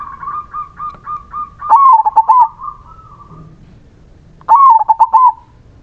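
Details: Crossbred zebra dove singing melodiously: a soft run of even cooing notes leads into a louder stuttering phrase, then another burst of rapid pulsed coos after a pause, over light background noise.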